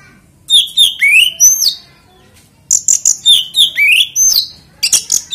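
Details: Oriental magpie-robin singing to provoke other magpie-robins to sing: two bursts of loud whistled phrases, sharp slurred notes and rising sweeps, separated by a short pause, with a faint low hum beneath.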